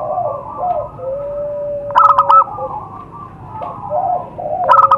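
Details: Wild zebra dove recorded in nature as a lure sound: a loud stuttering coo burst near two seconds and another at the end, over a low steady hum and softer background coos.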